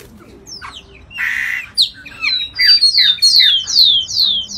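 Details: Giant cowbird song recorded in the Amazon: a harsh noisy burst first, then a run of high whistled notes sweeping steeply downward, each slurred note about a third of a second long.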